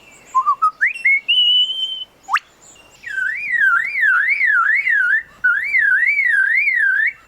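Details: A male superb lyrebird in forest, mimicking to outsing rival males, gives rising whistles and a sharp click imitating a camera shutter, then a car-alarm warble swinging up and down about twice a second.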